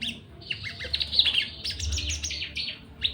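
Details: Breeding-condition Javan bush lark keen to mate, wing-quivering and crest raised: dense high chattering notes and short slurred whistles over a low background rumble.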